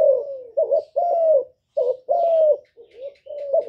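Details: Spotted dove song intended to make captive doves start singing; a falling coo, then paired notes, a long drawn coo and softer closing phrases in a steady rhythm.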